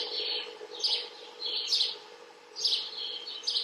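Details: House sparrows under observation giving repeated bright chirps in short clusters about a second apart, over a steady low background hum.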